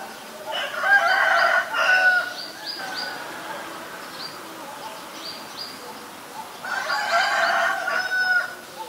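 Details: White-vented myna (Acridotheres grandis), Ubon Ratchathani, Thailand, 9 March 2022: two loud bouts of coarse, buzzy, harmonic calls about six seconds apart, separated by softer chatter and faint high whistles.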